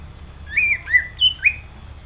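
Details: Greater green leafbird in full song: four clear whistled notes in under two seconds, slurred and bending up and down, one pitched higher than the rest, over a faint low hum.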